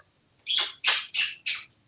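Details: Pet African grey parrot, a male hatched in 1997 and kept at home in Texas, offered corn: four harsh, broad squawks in quick succession, each about a quarter second, indoors with a person speaking around it.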